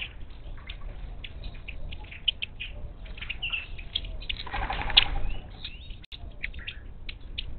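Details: Wild monk parakeets at a Gulf Coast feeder outside Houston, Texas, 10 March 2021; steady harsh chattering, a swell of louder squawks with wing rustle in the middle.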